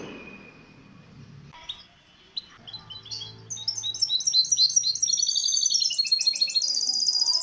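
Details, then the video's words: Misto hybrid canary on a training recording for young birds: a quiet start with faint scattered notes, building into a loud, high, fast-repeated trill that rises slightly toward the end. "شريط طائر الميستو الهجين للتحفيظ الفراخ"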